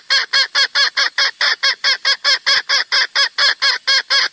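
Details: Red junglefowl call used as a lure for trapping wild junglefowl, hens and roosters: a fast, even series of short harsh nasal notes, about two per second, steadily repeated without pause.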